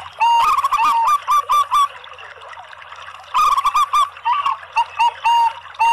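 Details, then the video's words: Zebra doves, local and Bangkok types together, singing as a lure for other zebra doves: rolling, bubbly cooing phrases in two bursts separated by a quieter pause, each ending in drawn-out coos, with sharp clicking sounds throughout. "kolaborasi PERKUTUT LOKAL DAN BANGKOK ¦ PANCINGAN semua PERKUTUT"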